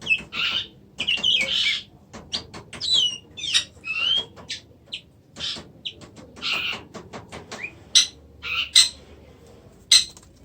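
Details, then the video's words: Oriental magpie-robin delivering scattered short song phrases: rich warbled bursts mixed with sharp clicking ticks and brief whistles, separated by quiet pauses of varying length. "kacer macet"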